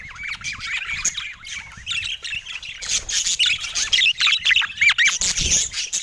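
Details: A budgie in San Diego morning sunshine opens with a clear, wavy warble of rising and falling notes, then joins a louder, choppier mix of chirps and squawks from the flock.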